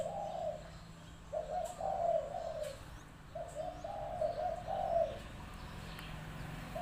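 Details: A decoy spotted dove gives low, soft coos run together into phrases of one to two seconds, with a pause of about a second between them. A faint steady hum sits in the background.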